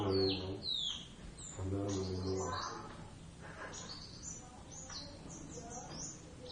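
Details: Javan Oriental white-eyes, Zosterops palpebrosus javanus, in a first duet, practising lively 'ngeriwik' chatter. Quick high, thin downslurred chirps and twitters repeat through the recording, with a man speaking briefly at the start and around the second second.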